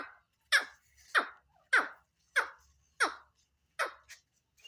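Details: Black francolin (Francolinus francolinus), possibly chicks, giving harsh, raspy down-slurred notes, seven in a row, about one every two-thirds of a second, against a quiet indoor background.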